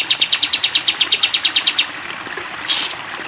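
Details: Cage-bird training recording of a sooty-headed bulbul: a short run of a dozen crisp repeated high notes in the long-fire 'tembak' style, then a pause and one brief upward sweep over hiss.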